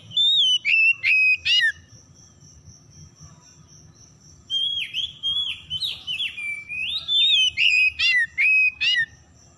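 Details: Oriental magpie-robin lure song for birds that stopped singing: loud whistles and clipped chirps at the start, a quiet gap of about three seconds, then a long series of rhythmic downslurred whistled notes, over a faint constant high tone.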